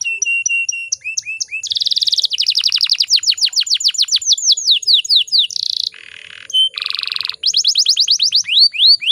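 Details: Female canary in breeding condition, meant to stir male canaries into song. She delivers varied phrases of paired whistles, rolling trills of falling notes, and dense buzzy bursts, loud and continuous.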